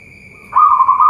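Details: Local zebra dove (perkutut) kept at a bird farm in Boyolali, Central Java, Indonesia: after a short pause, a single brief burst of mellow, rapidly trilled cooing at a steady mid pitch. A constant high whine runs in the background.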